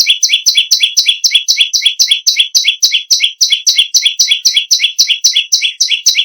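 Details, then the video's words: Bar-winged prinia in full, unbroken song: about twenty-seven loud, sharp, high chips in an even stream, roughly four per second, with no other sounds. "BURUNG PERENJAK BAWAH/LUMUT GACOR NGAMUK PARAH"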